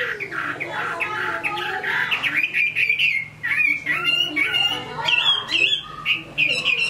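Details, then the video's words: Hai Phong hwamei, said to sing well, pouring out a busy, jumbled medley of warbles, harsh notes and quick whistles that climbs in pitch toward the end. "Họa mi hót tốt"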